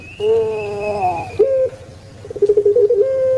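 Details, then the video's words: Puter pelung turtle dove, a caged Javanese cooing bird, uttering a rich held coo, then a brief rising note and a run of quick pulsed 'geruk' rolls ending on a steady tone. "𝙋𝙐𝙏𝙀𝙍 𝙋𝙀𝙇𝙐𝙉𝙂 𝙎𝙐𝘼𝙍𝘼 𝘼𝙎𝙇𝙞 𝙋𝘼𝙉𝙅𝘼𝙉𝙂 𝙆𝙒𝙊𝙆 𝙏𝙀𝘽𝘼𝙇"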